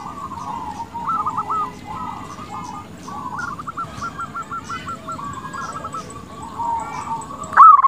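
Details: Softer stretch of a local zebra dove's lure song, meant to get rival doves answering; a long run of quick, stuttering, gently rising coos flows steadily, ending in one sudden louder note.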